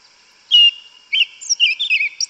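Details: Song of a yellow-legged thrush, the sabiá preta, in forest. A loud rich note opens, then after a short break comes a rapid warbling run of twisting high whistles.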